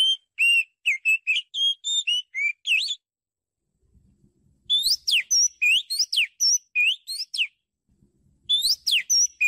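An Oriental magpie-robin sings loud, clear whistled phrases of varied rising and falling notes in bursts of about three seconds with short pauses between.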